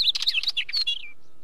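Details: Wheatear delivering a fast, dense phrase of scratchy chattering notes mixed with short whistled slurs, ending in a falling thin whistle.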